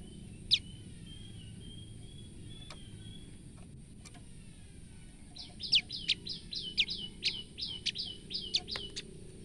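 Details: Female olive-backed tailorbird calling out of fright: after a thin, level whistle, a quick run of about ten sharp, downward-sweeping chips follows in the second half, over a low, steady background rumble.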